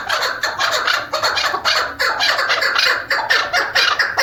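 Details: Female chukar partridge (Alectoris chukar), used as a hunting decoy, gives loud, harsh clucking chatter in rapid bursts, about two each second, running continuously without pause.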